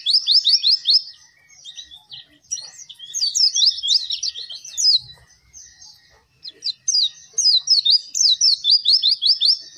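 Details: Caged Oriental white-eye in full song, used to train birds slow to sing: dense, fast runs of high falling chirps, repeated in long bursts with brief pauses.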